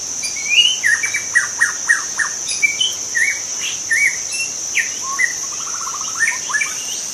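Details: A wild forest white-rumped shama sings a lively sequence: rising whistles, a string of repeated downslurred notes, scattered chirps and a rapid rattling trill near the end, set against a persistent high-pitched insect hum.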